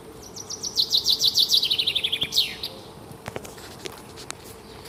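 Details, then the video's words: A small bird sings at dawn: a lively series of about twenty fast, high chirps sliding downward, capped by an upward flick; afterward only soft scattered ticks and background hum. "Таңкы чымчык сайроосу"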